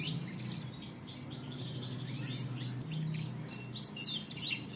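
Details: Canary singing: a fast varied series of high whistled and buzzy notes, trills and slurred phrases, with a low steady hum beneath.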